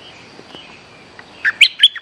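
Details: Lure recording of a bulbul: after a near-silent stretch with faint ticks, a quick phrase of three to four loud, liquid, chirping notes bursts in at the end.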